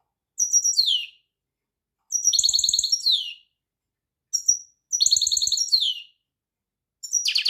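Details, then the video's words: Goldfinch song in short bursts roughly every one and a half seconds: bright rapid twitters with falling endings, a short separate chirp, and a final buzzy rising phrase. Low clicking sounds are in the background. "طائر الحسون # Singen Ganari Vogel"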